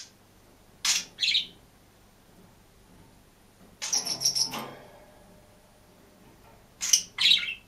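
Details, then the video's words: Caged green budgerigar, kept alone, giving paired scratchy chirps followed by a longer chattering burst and another pair, with quiet gaps of several seconds between groups. "МИЛЫЙ И ЗАБАВНЫЙ ПОПУГАЙ ПОЕТ И ЧИРИКАЕТ/ОДИН В КЛЕТКЕ"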